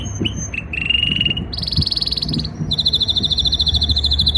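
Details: Canary singing during breeding season to impress a female: short whistles, a low buzzy trill, then two loud pulsed rolling trills in succession, with low background rumble.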